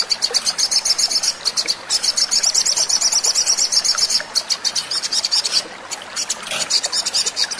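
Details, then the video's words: Sogon singing, offered as a lure to get other birds calling: long runs of fast, thin, high-pitched ticks that stop and restart several times. "pancingan sogon agar cepat bunyi"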